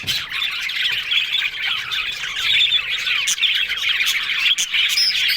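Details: Yellow budgies in happy talking mood, loud grating warbles mixed with harsh squawks and short whistled notes, pouring out without a break.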